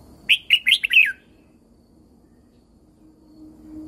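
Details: Thai red-whiskered bulbul singing, its voice meant for training and rousing caged birds: one rapid phrase of four to five sweet, slurred whistled notes, ending in a falling flourish, followed by quiet.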